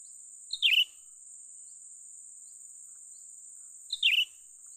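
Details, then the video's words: A young cucak ranting bulbul is heard while being trapped. Two short, sharp calls slide downward in pitch, spaced about three and a half seconds apart, over a continuous thin high hiss. "memikat burung cucak ranting muda mantap"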